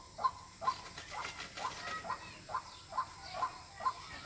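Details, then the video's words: White-breasted waterhen call for luring birds during hunting: brisk repeated notes with a short irregular patch of scratchy noise midway, then the steady beat resumes. "Jal murgi Ki Awaz water hin || ডাউক পাখির ডাক। Waterhen Bird Call।"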